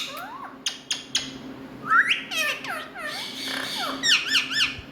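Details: A pet Indian ringneck parrot gives a few sharp clicks, then loud, squawky, harmonic notes that swoop up and down, repeated in short clusters in a small room.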